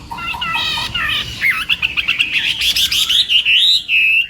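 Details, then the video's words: Morning practice song of a Chinese hwamei trained for contests: harsh, buzzy opening notes give way to a dense stream of clear whistles and rapid chattering phrases. "Hoạ Mi Hót Đấu /hoạ mi hót sáng luyện giọng"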